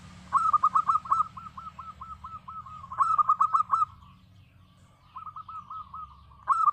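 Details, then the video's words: Local zebra dove in lively song: a stuttered run of short cooing notes opens each phrase, trailing into softer repeated coos at steady pitch; phrases return about every two to three seconds over a quiet low hum. "suara perkutut lokal gacor"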